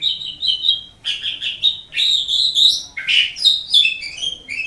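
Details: Pet-bird training recording of an Asian pied starling: an almost continuous run of whistled, chattering and slurred notes, some falling in pitch, with hardly a break.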